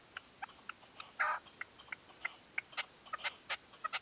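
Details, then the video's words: Red-legged partridge decoy at dawn, 2023: scattered soft ticks with one long loud grating call early on, then irregular sharper notes. "PERDIZ CON RECLAMO 2023. GALMÉS Y UN INTENSO PUESTO DE ALBA."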